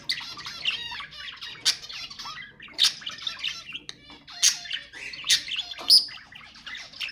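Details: Budgerigars warbling to stimulate breeding, steady scratchy chatter punctuated by loud, sharp squawks roughly every second, mixed with short whistled slides and clicks over a faint background hum.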